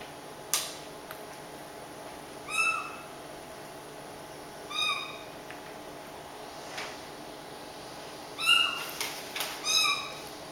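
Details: A pet caique meows like a cat, as it does when nobody is around: short, nasal, slightly bending calls every couple of seconds, with soft clicks and a steady background hiss.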